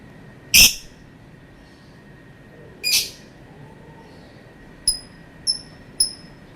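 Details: Lovebird giving a long calling session: two harsh, loud broadband screeches about two seconds apart, then a run of short, high, thin chirps dropping slightly in pitch, spaced roughly half a second apart.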